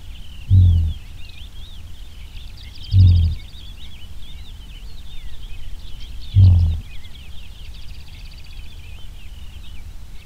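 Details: Houbara bustard; display call; male courtship display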